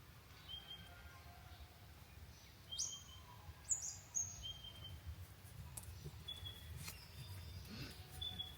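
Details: Birds chirping at a cabin by the lake: scattered short, high whistled notes and a few sharp upslurred chirps over a steady low rumble.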